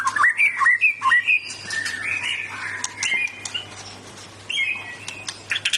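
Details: Caged white-rumped shama in Indonesia singing a powerful varied song: rapid whistled phrases, slurred notes and sharp chirps mostly between 1 and 4k, bursts of loud repeated notes, with a steady low hum underneath.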